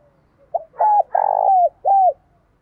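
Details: Spotted dove with the 'giọng thổ' voice calling in the morning to attract other doves: a short note, then a bent coo, a long rolling coo and a falling final coo, over faint low background hum.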